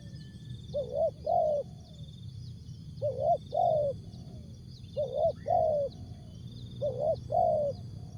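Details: Spotted dove (tekukur) in jergot, tapau or bungkus song style: four paired coo phrases, a brief note then a longer falling one, repeated about every two seconds above a persistent high whine and low murmur.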